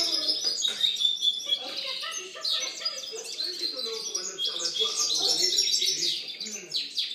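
A European goldfinch sings a fast, unbroken stream of bright, tinkling twitters and buzzy trills, high-pitched and varied, with a faint murmur underneath.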